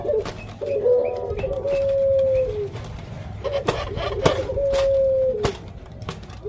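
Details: Female puter pelung dove kept as a pet, about to lay eggs, giving two softer drawn-out coos with stuttered beginnings, interrupted by sharp clicks and knocks in a room.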